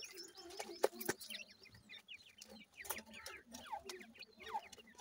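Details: Grey francolin adults and chicks while the chicks are fed: a steady low clucking runs under quick, thin, downslurred chirps, several each second, with a few loud sharp taps early on.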